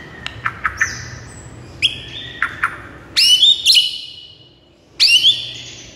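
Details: A white-rumped shama sings to make a silent bird sing. Soft clicks and short whistles come first, then two loud rich whistled phrases with upward sweeps, about two seconds apart.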